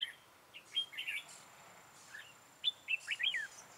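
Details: Red-whiskered bulbul recorded during trapping with a decoy bird on 13 October 2018: bright, warbled phrases of short rising and falling whistled notes, delivered in two bursts separated by a brief pause.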